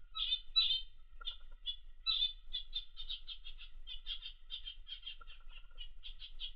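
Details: A pet Australian zebra finch relaxing in a workspace gives a rapid string of short, nasal, buzzy notes like a tiny toy horn.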